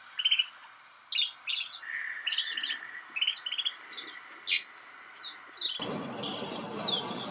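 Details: Snow buntings in Kananaskis, Alberta, Canada, giving short, bright chirps and buzzy rattled notes in scattered bursts, roughly fifty a minute, with several birds calling over a quiet background.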